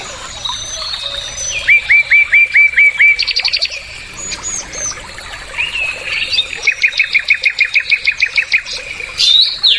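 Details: Bulbul, of the kind locally called bulbul belang or bulbul tenggorokan, singing: rapid series of repeated clear whistled notes in bursts, switching between slurred upward phrases and fast stuttering trills of evenly spaced notes.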